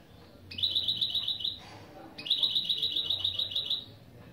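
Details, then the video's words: Two bursts of rapid, dry, metallic high trilling, each about 1.3 seconds, with a short break between. Given by a goldfinch-canary hybrid as part of its opening song phrases. "Saka Melezi Ön Çıkışlar"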